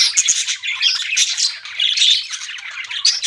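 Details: Budgies chirping in a short burst of squeaky, warbling chatter with a few thin whistles, loud and unbroken throughout.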